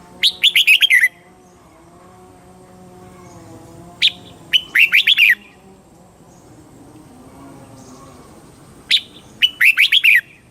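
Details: Thailand red-whiskered bulbul, southern master-style song played to excite birds and teach young birds; three matching phrases of rapid, rippling warbled notes, repeated roughly every four seconds, with quiet steady background hum.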